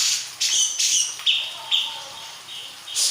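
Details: Local Purworejo grey-cheeked bulbul uttering harsh, bright squawking notes alternating with shorter clear whistled chirps, several in quick succession over three seconds.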